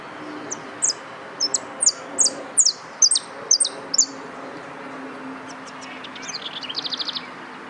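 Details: Yellow canary singing in a competition: a sparse run of short, high, sharply falling chirps, some doubled, spaced irregularly, ending in a quick rattling trill of evenly repeated notes; faint low hum underneath.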